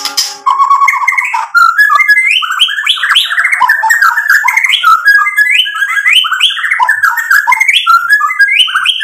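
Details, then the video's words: White-rumped shama delivering a loud song full of mixed fill material to goad rivals into replying: an unbroken stream of varied whistled phrases that climb and drop, with rapid twittering notes throughout. "MURAI BATU GACOR bikin EMOSI lawan jadi NYAUT BUNYI BONGKAR MATERI ISIAN ampuh buat PANCINGAN murai"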